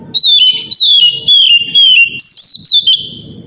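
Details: Morning song of an Oriental magpie-robin, played to encourage other magpie-robins to sing: powerful whistled phrases, each note dipping in pitch, repeated quickly about two per second, with a brief rough burst near the start.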